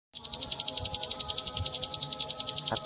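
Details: Long-tailed shrike (pentet) singing a fast, even series of sharp high chips, about ten per second, steady throughout, with a faint low hum beneath.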